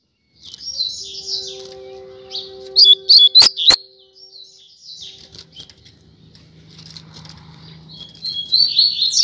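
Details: High chattering song phrases from a Double-collared seedeater, one of a pair on a street, come in bursts, with two sharp clicks and soft tonal music in the background.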